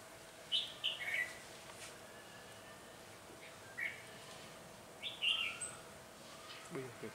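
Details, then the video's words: Caged decoy red-whiskered bulbul singing in a heated fight on a cold, windy day, 17 February 2020, to lure wild bulbuls into a trap. Short, bright warbled phrases come in separate bursts every one to two seconds over a steady low hum. "Bẫy chào mào Bổi đấu nhiệt ngày gió lạnh bổi 17/2/2020"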